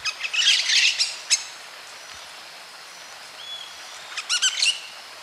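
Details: A White-eared parakeet (maroon-faced parakeet, Pyrrhura leucotis) eats food and touches beaks with another bird, giving harsh buzzy chatter, a short clear whistle and a quick run of rising chirps; call.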